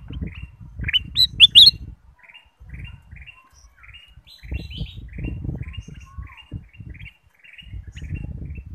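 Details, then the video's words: Black-capped bulbul song used as a lure to make other birds sing: bright chirped notes near the top of its range, repeated in quick runs with short pauses, over low rumbling and handling noise. "pancingan kutilang emas"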